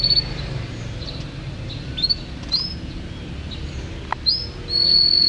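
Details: Champion canary song, sparse and varied: short high chirps and upward slurs scattered through the passage, ending in a long steady whistle, over faint background noise.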